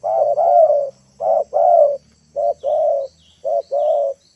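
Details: Spotted dove cooing as a lure to draw wild birds down to the ground, four short-long coo pairs in even rhythm, with faint high chirps from other birds and a low hum.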